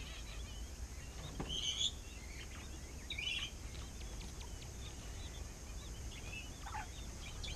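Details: Tiny King quail chicks at Saitama Children's Zoo, Japan, 4 September 2017, give thin, high peeps in short bursts, a brief cluster near the start and another a second later, over a low background hum.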